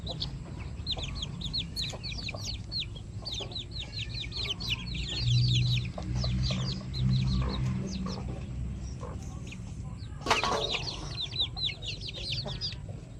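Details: Several pet chickens, new flock members among them, peeping in quick high downward-sliding notes that come in bursts and pauses, with a low hum underneath and a brief loud knock near the end.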